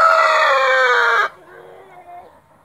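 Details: A white splash Brahma rooster ends a loud, rich crow with a slowly falling pitch, cutting off sharply into quiet background rustling.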